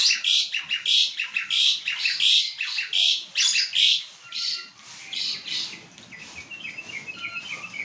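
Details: Chattering Asian pied starling, said to have a wide range of sounds and to copy human voices, uttering a string of bright, rasping, rhythmic notes that fade into softer twittering.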